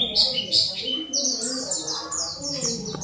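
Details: Oriental white-eye of the dakun type singing a training song: quick chains of sharp, high, downslurred notes with a few longer whistles, over low steady background noise.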